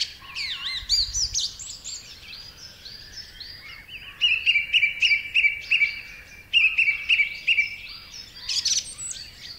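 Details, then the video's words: Song thrush song with far-carrying whistled tone: opening varied phrases, then a clear note repeated several times in quick series, a second run of the same repeated note, and a sharp high burst near the close. "Song thrush song is marked by a repetition of notes and phrases and its strident, far-carrying, full-whistled tone."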